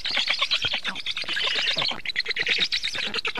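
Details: Black stork feeding at the nest, 24 June 2017, 19:52: a continuous stream of hoarse, rasping pulses, dense and rapid, rising and falling slightly in loudness.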